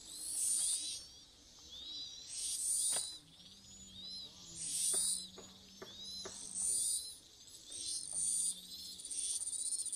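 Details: Chinese hwamei nestlings being fed by both parents give shrill, hissing bursts of high begging calls about every two seconds, with a faint low hum underneath.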